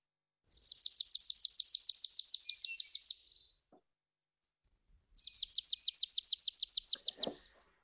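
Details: Two neighbouring Chipping Sparrows sing essentially identical songs, each a sweet, not chippy, fast even trill of about fifteen high slurred notes lasting under three seconds.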